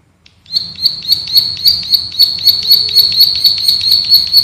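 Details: A male plain prinia (rice-field prinia, prenjak sawah) of paddy fields repeats a sharp, high, buzzy note about four times a second in a steady, drilling run, with faint low background hum.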